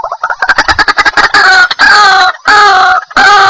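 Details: White-breasted waterhen call played as a trapping lure: a fast series of harsh clucking notes that runs into loud, drawn-out, nasal croaking cries with short gaps between them.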